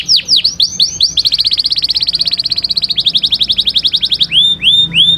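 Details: Singing canary: several quick downward sweeps lead into a fast rolling trill of high notes, then a rattling series, finishing with three rising whistles; faint low background noise.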